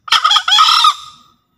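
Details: Lure call of a green junglefowl from Java: a brief, rough, two-syllable crow. A choppy first burst runs into a longer grating note that fades out quickly. No other sounds are heard.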